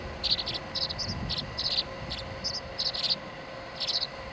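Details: Tree swallow young competing for the feeding spot, July 26, 2011: dense, high twittering chirps in quick groups of two or three, a short pause near the end, with low rustling below.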